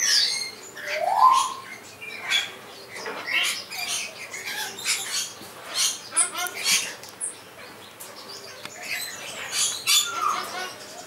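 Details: Blue-bellied roller (Coracias cyanogaster) in a bird park at Oosterend, Texel, Holland, giving harsh, rasping squawks and rattling chatters in irregular bursts, with a few short rising nasal notes between them.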